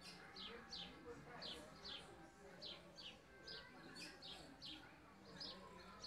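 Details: Northeastern Brazilian ultramarine grosbeak singing a quick run of bright, down-slurred whistles, often paired, about two per second, over a steady background hiss.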